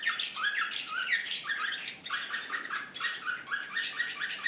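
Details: Canary in the Srpski slavujar style, Belgrade 2014, singing a continuous excited warble of rapid repeated chirps and rolling trills with a short break midway.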